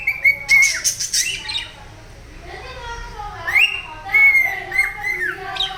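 A cockatiel gives odd squawks and whistled notes, with sharp upward sweeps and a brief steady tone.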